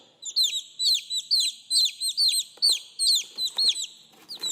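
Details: Domestic chicks calling their mother: loud, high, down-slurred peeps from several birds, given in quick bursts about twice a second with brief gaps, and a few faint knocks in the background.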